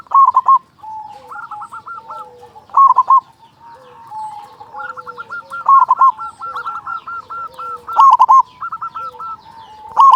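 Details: A big-voiced local zebra dove sings as a lure to make other doves sing quickly. Loud, clipped three-note coo phrases come roughly every two to three seconds over a busy background of rolling, trilled coos from other birds.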